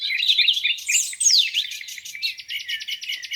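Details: Lakeside birds in spring morning song: tumbling warbles and steeply falling high whistles, then a quick, evenly spaced series of clicking chips toward the end; many voices overlapping.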